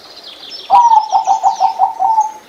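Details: Zebra dove, a small gray bird prized for its voice, delivering one quick series of pulsed, purring coo notes lasting under two seconds, faint high twittering behind.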